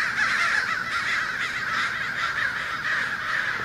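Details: A big congregation of American crows in a Fresno, California neighborhood, 2 January 2016, around an ironbark eucalyptus with no hawk in sight; loud overlapping cawing forms an unbroken, noisy wall of calls throughout.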